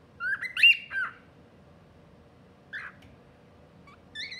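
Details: An albino pearl cockatiel 'talking' gives a quick run of squawky, whistled syllables, then a lone chirp and more whistles.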